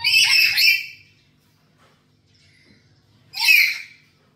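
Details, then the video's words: A talkative black-capped lory at home, recorded as a lure for training: a drawn-out harsh squawk at the start, then silence, then a second abrupt screech about three seconds later. "Pancingan Burung Nuri Kepala Hitam di rumah"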